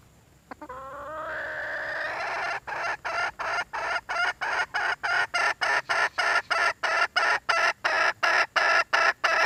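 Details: Red junglefowl hen calling for a mate: after a rising opening note, rapid harmonic clucking notes repeat steadily at about three per second, growing louder toward the end.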